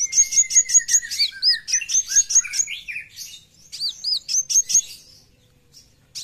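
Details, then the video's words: Brown-throated sunbird in full besetan: rapid rows of piercing high chirps over a sustained thin whistle, then curved slurred notes and more quick chirp runs before fading. "KOWUL GACOR FULL BESETAN"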